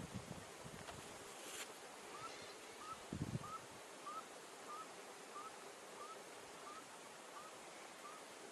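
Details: Blue-eyed ground dove feeding in Minas Gerais, Brazil: faint, short upslurred hoots repeated about every 0.6 seconds against steady wind-like hiss, with a few low thumps early on.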